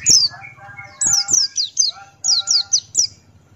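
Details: ['Male Buxtoni white-eye, singing open-beaked in the ngalas style: a rhythmic series of high, steeply descending whistled notes, joined by lower, tonal, warbling phrases.']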